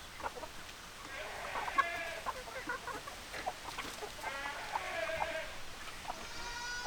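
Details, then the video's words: Chickens, hens and roosters, in a farmyard: soft short clucks scattered throughout, with two drawn-out harmonic calls around the middle and a high thin note near the end; faint background hiss. "Chicken Sounds Noises Hens Clucking Roosters Crowing"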